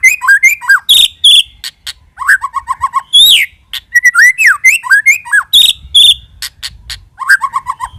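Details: White-rumped shama lure song, dense and varied: slurred whistles, high sharp chips and short runs of repeated quick notes in rapid succession.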